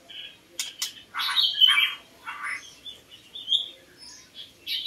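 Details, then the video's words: White-rumped shama (Copsychus malabaricus) song, used to lure birds: short buzzy and whistled bursts, high notes in a loose run, with sharp clicks near the start and a fainter cluttered background. "ធ្នាក់ល្វាចេកភ្លើង | White-rumped Shama Hunter"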